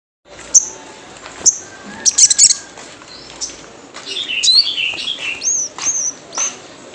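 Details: Wild sunbird call used as a lure to get sunbirds singing: sharp, very high chips and a brief cluster of squeaky notes, then a busier stretch of thin, twittering, slurred whistles against a faint hiss.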